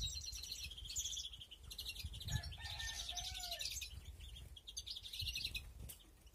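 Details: European greenfinches nesting in an aviary, 2021: continuous busy twittering and chirps, with a short low whistle dipping near the three-second mark.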